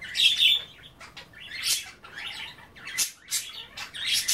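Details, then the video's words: Budgies chattering while nibbling kale in their bath water; a clear squeaky warble opens, followed by scratchy twitters and bright bursts, indoors. "A day in the life of a Budgie - kale bath and chattering"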